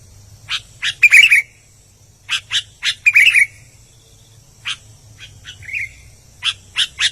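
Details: Vigorous singing by an albino sooty-headed bulbul: harsh chips in small clusters, two quick whistled warbles and one softer slurred whistle, separated by brief gaps, over a quiet hum.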